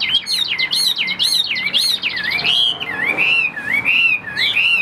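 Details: Loud, clear song of a Chinese hwamei: rapid bouncing whistled notes at first, then longer wavering, rolling phrases repeated with small changes.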